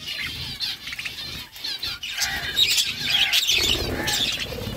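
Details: Budgerigars chattering while they eat: busy warbled chirps and squawks in irregular bursts, with wing flutters and rustling throughout.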